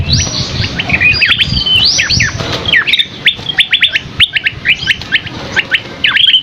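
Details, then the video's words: Masteran recording of an energetic gacor Scaly-crowned Babbler (asi topi sisik) with a luxurious fill. Crowded chirps and quick whistled slurs sweep up and down, then become a steady run of separate sharp notes, with soft low rumble beneath. "Masteran Burung Asi Topi Sisik GACOR isian MEWAH Burung Kecil Suara Sultan"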